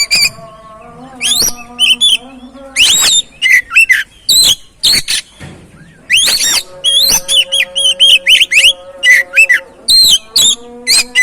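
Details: Oriental magpie-robin lure song, used to stimulate a silent, stressed bird into singing: loud, varied whistled phrases with rising and falling sweeps and short chirps in bursts, over a steady low droning hum.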